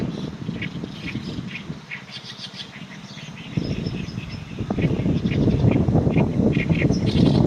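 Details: Oriental reed warbler song under strong wind: scratchy, grating phrases of rapid repeated notes, quieter at first, then louder gusts of wind roar over the second half.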